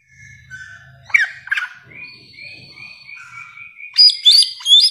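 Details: Samyong, the bare-throated whistler of Nusa Tenggara, utters a string of soft repeated whistled notes at an even pitch, broken by harsher chirps, then bursts into loud high sharp phrases at the end; a low hum underneath.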